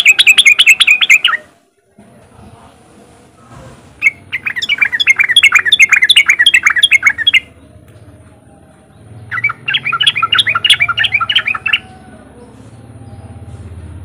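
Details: Sooty-headed bulbul delivering riwik song meant to set other untrained bulbuls singing: three sustained bursts of fast, rollicking chirps lasting one to three seconds each, with low hum between them.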